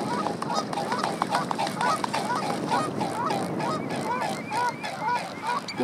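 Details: A Mute Swan taking off on Tory Island, Donegal, Ireland, among nesting lapwings and redshank: its wings give a rhythmic, musical throbbing several times a second over rushing wind and splashing water.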